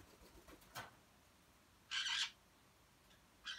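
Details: Grey parrots kept as a household group of four, two males and two females, born in the Philippines, Thailand and Taiwan: a thin sharp note, then a loud, harsh, rasping squawk lasting about a third of a second, and another squawk starting at the end.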